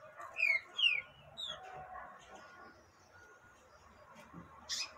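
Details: Female yellow-bellied seedeater calling to stimulate a male: three short, sharp whistled chirps, each sliding downward, in quick succession during the first second and a half, followed by a low background hum and a brief click near the end.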